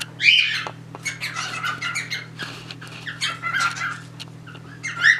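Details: Caged pet cockatiels, a male and female mating as a third looks on; scratchy chatter of short rough notes with a few sharper whistled squeaks, low hum underneath.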